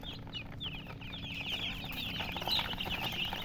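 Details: A flock of coloured chicks calling, with shrill downward-sliding peeps that grow denser and louder toward the end, over a low droning background.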